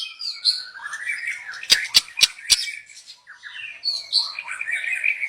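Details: Young wild white-rumped shama singing, used as a lure bird: high scratchy warbled phrases with four sharp, loud clicks in quick succession midway, then more rambling twittering.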